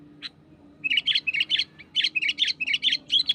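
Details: Energetic song of a sooty-headed bulbul pressing a rival, a wild bird: a fast run of bright, bubbly, slurred phrases, about two per second, after one lone opening note, over a faint low hum.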